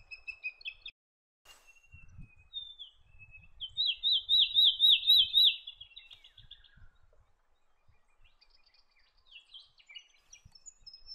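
Little eagle giving a fast burst of about a dozen high, sharp whistled notes over two seconds, with scattered chirps and soft rustling around it.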